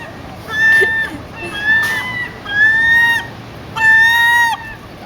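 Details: Seagull squawking while begging for food: four long, loud, harmonic-rich squawks about a second apart, each held and slightly falling at the end, with people talking nearby and a dog mentioned.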